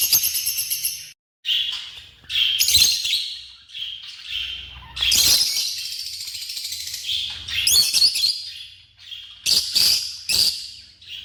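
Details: African lovebirds calling: bursts of harsh, high chirping and shrill twittering, loud clusters around two, three, five to six, eight and nine to ten seconds, quieter chatter between, no other clear sounds.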